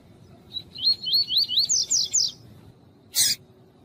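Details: Caged female coleiro tuí-tuí seedeater calling to stimulate the male: about eight rapid high upslurred whistles that quicken and grow louder, followed after a pause by a short harsh rasping burst.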